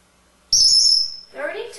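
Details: Pet male African Grey Parrot, hatched in 1997 and kept in a home in Texas, receiving a Christmas stocking full of toys. A sharp, steady, high whistle lasts under a second, then a woman speaks.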